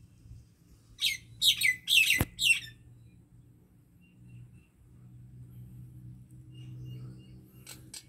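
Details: Common myna singing in a Pakistani Punjab village: a quick series of four harsh, chirping bursts with falling whistled slurs, a sharp click, then low background hum and faint distant notes.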